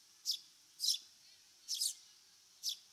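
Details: Eurasian Tree Sparrow, a bird of fields, grassland and waterside in Japan, giving four bright, sharp chirps at an uneven pace, each a quick downward-slurred note, against a quiet background.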